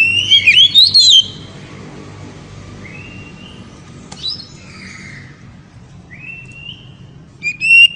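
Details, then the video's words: Oriental magpie-robin in ngeriwik song style, sung to excite a female: a loud burst of rapid, warbling whistled notes, then quieter spaced rising whistles and another bright flourish at the end. "KACER NGERIWIK HEBAT SEKALI BIKIN BETINA NGEPLONG"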